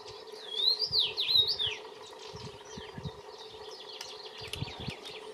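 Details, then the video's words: Common rosefinch singing a short, clear phrase of slurred rising and falling whistles, followed by softer twittering notes over a low, steady background hum. "Roodmus zingt"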